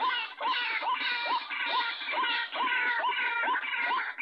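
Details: Recorded lure call used to trap white-breasted waterhens: harsh, nasal croaking notes repeat about twice a second, each ending in a short upward hook, in a dense, steady, somewhat processed-sounding stream.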